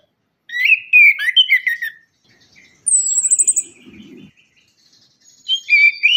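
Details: Orange-headed thrush lure song: a loud, fast run of whistled, slurred phrases, a pause, a high thin descending trill with a soft warble, then more loud whistled notes.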